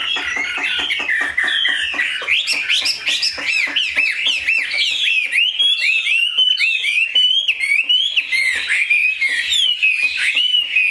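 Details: Chinese hwamei kept as a cage bird delivers an energetic song of looping, up-and-down whistles and quick warbled runs, steady and loud for the whole stretch, with soft tapping noises underneath.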